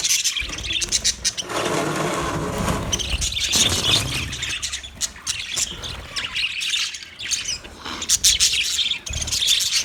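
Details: Budgerigar chatter from 29 February 2024: a broad, noisy rustle early on gives way to dense, high-pitched warbled chirps and squawks that continue steadily to the end.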